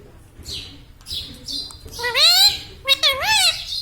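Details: Pet talking Indian ringneck parakeet making laughing sounds: soft breathy squeaks first, then two loud, ringing, bending notes that swoop down and back up, the second shorter and sharper.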